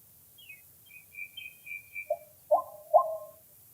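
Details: White-breasted waterhen recorded on a set-up camera for decoy luring: a faint run of thin, high chirps fades out, then three loud, harsh, lower-pitched notes ring out near the end over quiet low rumble.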